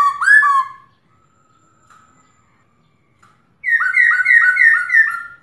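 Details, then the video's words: Female black-throated laughingthrush kept in a cage, calling to excite males to sing: a loud slurred whistled phrase, a pause with faint notes, then a rapid series of rich, downward-sweeping whistles repeated several times per second. "Khướu mái ro kích trống căng lửa/Tiếng khướu mái ro ro kích bổi cực nhạy/Kích là hót"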